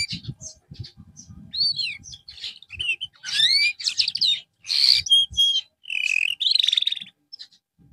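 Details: Canary used in therapy after losing form: varied song of arched whistles, buzzy bursts, flat tones and a fast trill, with soft low background rumbling.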